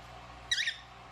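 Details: A pet cockatiel gives one short, harsh, screechy call lasting about a quarter second, high-pitched and slightly wavering, against a quiet background.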